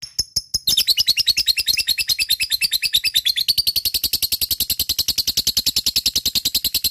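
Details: A few sharp clicks give way to a fighter lovebird's long ngekek: rapid, buzzy, machine-gun chattering that continues to the end, intended to stimulate lazy lovebirds to sing.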